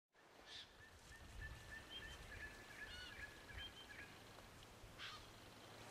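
White-winged choughs give thin, high whistled notes in quick, uneven series. A low outdoor rumble and two brief rustling bursts sit underneath.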